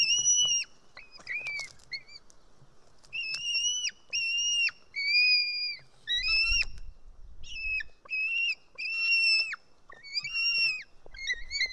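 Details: Hungry White-tailed eagle chick at its nest in Estonia on 4 July 2018, screaming during a fish feeding; irregular shrill whistled calls, some short and clipped, others drawn out and slightly falling, with brief pauses and a soft thump midway.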